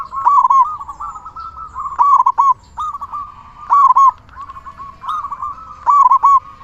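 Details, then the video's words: Local zebra dove, a loud, prolific singer, used as a lure to get other zebra doves singing. Short bright cooing phrases of clipped staccato notes repeat about every one to two seconds over a steady purring trill at similar pitch. "Perkutut lokal gacor suara besar cocok untuk pancingan burung perkutut agar cepat bunyi"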